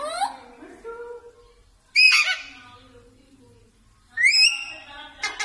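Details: Parrot giving its natural voice: a rising whistled note, then two loud, harsh, upward-sliding squawks about two seconds apart, with softer low whistled tones between them.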